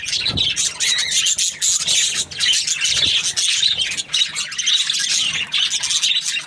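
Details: Budgerigar chirping happily: a thick stream of high, buzzy chirps and squeaky warbles runs without a break, with faint low knocks in the background.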